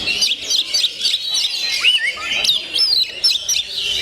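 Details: Gondo mayit oriental magpie-robin in full song: loud, clear whistled phrases with swooping slurs and quick chirps, delivered in bursts roughly every quarter second.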